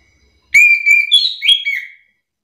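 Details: Chestnut-capped thrush (anis kembang) song used as a lure to provoke other reluctant thrushes into answering song: loud, clear whistled phrase, a sustained note followed by higher, warbling notes over about one and a half seconds, then silence.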